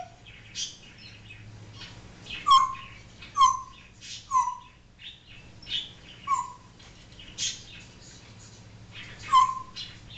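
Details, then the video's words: Pet African grey parrot, a male, barking and making other imitated noises indoors: a series of short, downward-bending yelps spaced about a second apart among softer clicks and chatter. "African Grey talking and making sounds"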